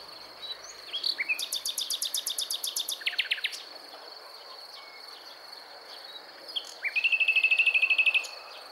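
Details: Song of a common nightingale near Montana in Bulgaria, 23 May 2020: a fast series of sharp dry clicks, a brief burst of lower notes, a pause, then a loud rolling trill of rapid repeated notes, with a steady high background drone.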